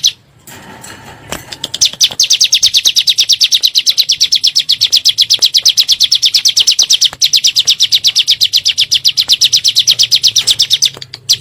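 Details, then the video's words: Bar-winged prinia (ciblek gunung) lure call played to provoke birds: after a faint start, a long unbroken run of rapid, high-pitched ticking notes lasting about nine seconds. "PANCINGAN SUARA BURUNG CIBLEK GUNUNG NEMBAK"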